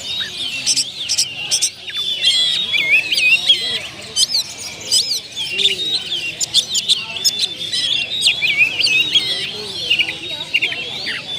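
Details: Captive kacer, the oriental magpie-robin, pouring out mimicked song material (isian) as a lure recording: a long, busy run of high whistles, chattering trills and slurred notes, with a faint lower murmur in the background.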